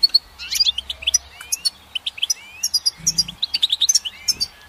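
A goldfinch sings a fast, tinkling twitter of high chirps and slurred whistles, packed several to the second, with a brief low hum in the background.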